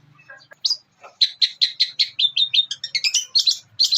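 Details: Long-tailed shrike (cendet) mimicry song recorded as training material for songbirds, in church, thunder, Armagendon and Kuntilanak styles; a few soft notes, then a steady run of loud high chipping notes about five per second.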